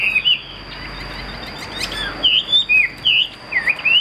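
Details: Loud wavering whistles from a caged Chinese hwamei, a fighting bird, repeat in short looping phrases with a few ticks between, set against a continuous faint high-pitched hum.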